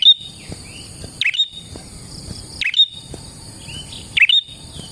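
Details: Prinia used for luring: snapping clicks with brief buzzy, whistled notes, roughly every one and a half seconds, plus a few faint short slurred whistles between, over a steady high whine.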